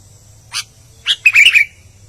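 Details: Energetic albino sooty-headed bulbul giving a single bright note, then a rapid burst of warbled, slurred chirps lasting under half a second, over a faint low hum.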